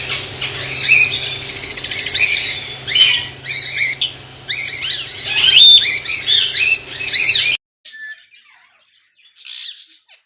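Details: White lovebirds in a colony in Pakistan chatter and squawk loudly in overlapping high, harsh notes for several seconds, then the sound drops away to near silence with a few faint calls.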